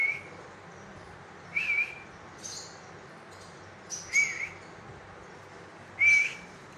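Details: Brief whistled notes from a green ring-necked parakeet reported as speaking. They are spaced irregularly about two seconds apart, some with a raspy upper edge, over steady low hiss.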